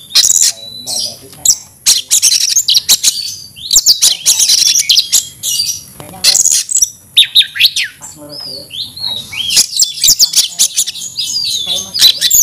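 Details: Oriental magpie-robin, a kept kacer, delivering an aggressive fighting song: nonstop loud, harsh high chips and whistled slurs in rapid bursts, varied phrases tumbling over each other.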